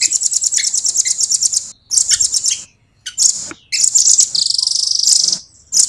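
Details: Rapid, very high trilled phrases from a velvet-fronted nuthatch (rambatan), sung in a tight, fast, clear style. A steady trill opens and is followed by broken bursts, then a long even roll near the end.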